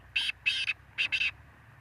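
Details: Black francolin calling with four harsh, rasping notes set in two pairs, each pair a short note followed by a longer one, loud and clear against near silence.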